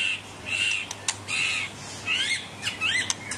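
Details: A captive Medan white-rumped shama sings clear, high whistled phrases, some held and some sweeping upward, with sharp clicks between, over a low indoor hum.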